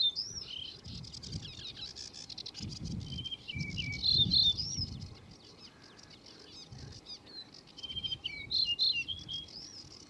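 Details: A singing male yellow-breasted bunting delivers high whistled phrases with quick slurred notes, repeated every few seconds and somewhat faint against a steady hiss and low rumble.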